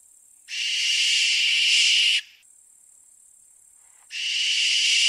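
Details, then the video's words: Barn owl uttering two long, rasping, breathy shrieks of nearly two seconds each, the second cut short at the end, over a faint steady high hiss. "Сипуха. Голоса птиц"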